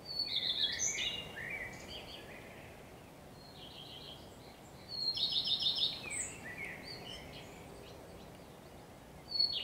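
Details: Common redstart singing on 12 May 2023 alongside a blackbird: short bursts of high, rapid, trilled notes come at intervals of a few seconds, mixed with lower sliding phrases, over a steady background hiss.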